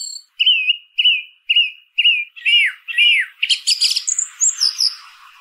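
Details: Song thrush singing: a clear whistled note repeated four times at steady intervals, then lower slurred notes, then a quick run of high, varied, scratchy phrases.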